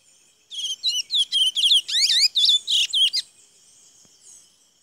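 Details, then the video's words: Chestnut-bellied seed finch singing at Saint-Georges on 17 May 2016: a rapid run of about a dozen varied high notes over roughly three seconds, trills, whistles and swooping slurred phrases, a faint steady high hum behind. "Curio pico de LéaL"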